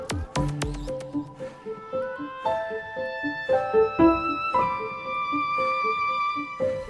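Only music is heard, with sustained tuneful notes and a steady beat, and no animal voice.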